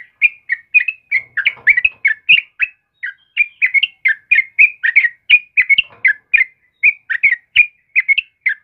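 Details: Morning singing by a sooty-headed bulbul: continuous quick chirruping whistles, rising and falling, packed about four per second with only short breaks.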